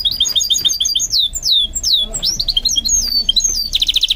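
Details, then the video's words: Goldfinch mule in song training, pouring out fast high chirps, swooping downslurred whistles and a closing buzzy rattle. "What I Learned from Training My GOLDFINCH Mule to Sing"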